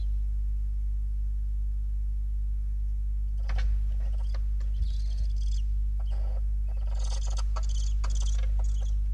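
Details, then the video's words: Eight young barn owl owlets at the nest in Riet Vell nature reserve, Spain, 4 November 2021; harsh, breathy hissing bursts repeat through the second half, some short and some drawn out, over a low steady hum. "Lechuza - 8 młodych Płomykówek"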